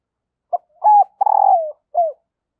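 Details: A female spotted dove coos to draw cooing from males: four low, hollow notes, the third long and slightly falling with a purring texture, then a short final coo.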